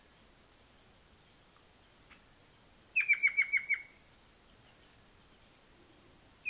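A quick burst of about six sharp, clipped notes from a Rufous-capped Antthrush, with scattered thin high chips before and after.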